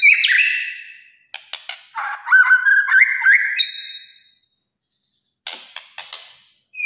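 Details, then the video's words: White-rumped shama singing kretekan-style, with a loud whistled opening, a choppy series of varied whistles and trills, silence, then short scratchy bursts and a final whistle. "KRETEKAN MURAI BATU GACOR. BIKIN MURAI LAIN EMOSI.."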